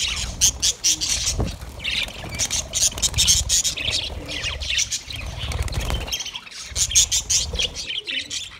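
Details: Budgerigar parrots in a steady stream of high, scratchy warbling and chirping, busy and overlapping, with brief pauses. Low background rumble runs throughout.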